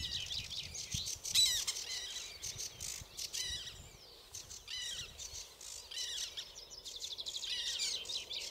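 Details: A male common linnet in the Zouweboezem, filmed in May from a walking path, gives quick, dry twittering notes in bright high bursts, with a few louder chirps and faint outdoor background.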